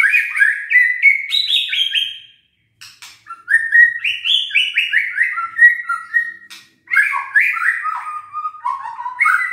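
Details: White-rumped shama singing as a provocation for idle, silent birds: fast, continuous runs of stepped whistled notes, rising and falling, with crisp clicks between phrases.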